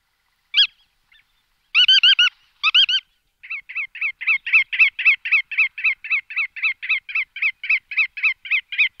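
Bar-tailed Godwit giving a few nasal, slightly rising calls, then a fast run of clipped, yelping notes, about four a second. No other sounds are heard.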